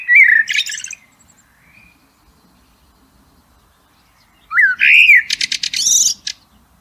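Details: A Blackbird in nature gives a fluty warble ending in a high chattering squeak, then after a pause a rising whistled phrase followed by a fast, buzzy high twitter.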